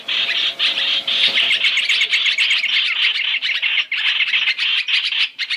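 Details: Masked laughingthrush (hoành hoạch, trao trảo), a three-in-one lure recording used for trapping: dense, harsh, squawky chattering packed in rapid overlapping bursts, about three or four per second, with short breaks near one and four seconds.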